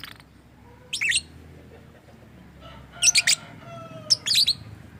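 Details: Lovebird uttering strange, supposedly speech-like sounds: a few short bursts of shrill grating chirps separated by quiet pauses, with faint low tonal hums between them.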